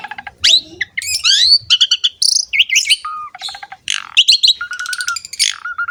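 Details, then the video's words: Asian pied starling in varied song for luring young birds to sing: mixed whistled slurs, twittering chatter, harsh buzzes and short low repeated whistles, with brief pauses. "MASTERAN BURUNG JALAK SUREN SUPER GACOR PALING DICARI"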